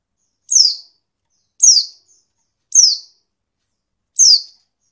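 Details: Oriental white-eye female giving four sharp, high downward-slurred chips spaced just over a second apart, a call used to provoke males into singing; no other sounds.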